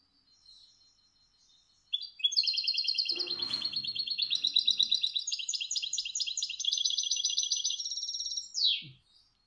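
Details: European goldfinch (Carduelis carduelis) singing a fast, continuous tinkling run of high bell-like notes for about seven seconds, ending in a quick downward slur; a song phrase described as the "cascabel" (bell) type, hard to follow for its speed.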